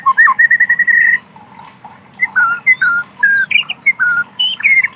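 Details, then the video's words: Wild forest white-rumped shama: a quick run of repeated level whistles, a pause, then longer slurred whistles that rise and fall, with a faint hum in the background. "Suara asli alam burung Murai Batu"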